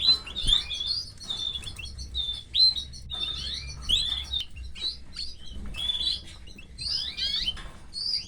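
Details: Canary nestlings calling while the female feeds them: repeated bursts of shrill, squeaky chirps with rising and falling notes, in clumps roughly every one to one and a half seconds.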